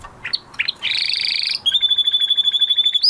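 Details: Male canary singing after its moult: a few short chirps, then a buzzy trill and a long run of fast, evenly repeated high whistled notes.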